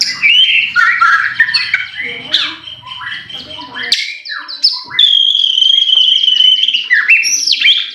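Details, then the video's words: Kept white-rumped shama delivering song used to provoke other birds into singing, with bright varied whistles, buzzy trills and a long sustained high whistled note near the end, phrases changing quickly; faint low background murmur. "pancingan murai batu AGAR BUNYI jitu untuk JADIKAN murai batu GACOR EMOSI"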